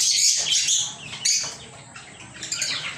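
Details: Pet lovebirds giving piercing, scratchy chirps, loud at the start, then fading to softer scattered squeaks.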